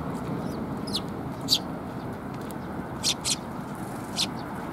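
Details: Sparrows coming to be fed at a Tenmangu shrine on 24 June 2021; scattered short high chirps, some sharp and upslurred, with gaps between, over a low background hum.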